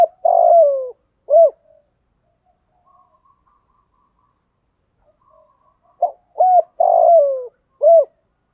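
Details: Morning cooing of a spotted dove singing in the thổ pha style to call in wild birds: a long, falling, hoarse coo and a short note, several seconds of near silence, then a quick three-note lead-in, another long sliding coo and a final short one.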